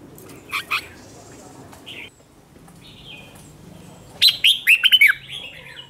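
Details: Competitive song of a newly caught red-whiskered bulbul, used to provoke other bulbuls: a few scattered soft notes early, then one loud warbled phrase of quick slurred whistles near the end.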